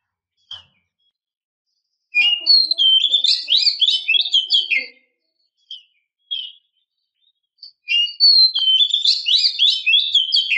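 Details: Calling female oriental magpie-robin used to draw a stressed male into answering: a couple of faint single notes, then a rapid jumble of twittering, buzzy whistles, and another lively twittering run.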